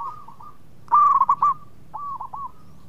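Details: Local zebra dove singing actively, a melodious bird meant to draw other birds into song: a loud, quick bubbling coo phrase of rolling notes near one pitch, with softer, echoing coo phrases from other doves before and after.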